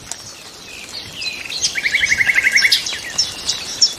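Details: Song of nightingales: high thin notes lead into a quick burst of about ten identical, clipped chirps, followed by scattered sharp high calls over soft background noise.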